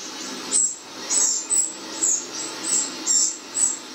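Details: In a garden, wrens answer playback of their own song with piercing high notes repeated at a regular pace of roughly two per second against a soft background hiss.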